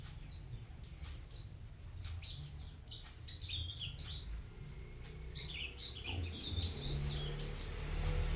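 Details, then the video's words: Bustomi white-eye singing vigorously: scattered high, quick chirps and twittering phrases. Low-pitched background noise is fairly prominent and grows louder toward the end. "Burung Pleci Bustomi Gacor"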